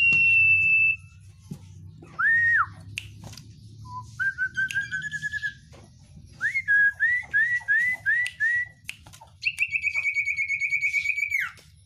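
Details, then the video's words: Oriental white-eye sings a varied 'isian' song: a long high whistle, a slurred note, a run of rapid upslurred whistles, then a fast, high, evenly pulsed trill lasting over two seconds. "sirtu isian luber banyak pedes"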